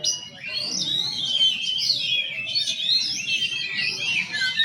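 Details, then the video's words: Slow-style song of a male white-rumped shama, a steady stream of sweet, sliding high whistles and warbled notes flowing without break, rising and dipping in pitch, against a quiet low background murmur. "Murai slow !"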